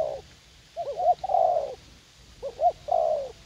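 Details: Spotted dove, a young captive decoy bird keen to fight, at a garden in U Minh; two short hooting coos followed by a drawn-out, slightly falling croon, repeated twice, with faint low background hum.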